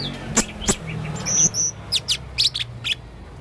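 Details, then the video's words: Male blue-crowned hanging parrot, described as very vocal with many strange sounds, giving sharp high clicks, paired thin whistled notes and short scratchy chirps over faint low background hum. "burung serindit jantan gacor banyak suara aneh"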